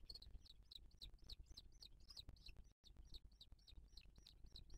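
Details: At a booted eagle nest in 2023, where other birds attack the female as she feeds the chick, soft high arched whistles repeat steadily about four per second over a low background rumble, with one brief dropout.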